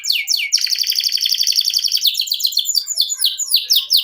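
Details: Canary song with descending whistles leading into a long rolling trill, then rapid varied chattering syllables.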